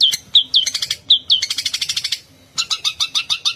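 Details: Long-tailed shrike from Madura, a caged bird kept for competitions or as a master bird, singing a rapid, rolling, varied medley: sharp upslurred whistles, fast chattering bursts and repeated falling notes, high-pitched and bright.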